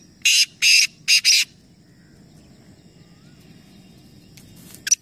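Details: Black francolin, one of three calling at once in a competition at Nawabshah, Pakistan: four harsh, buzzy grating notes in a quick phrase, then quiet hum, with another phrase just starting at the end.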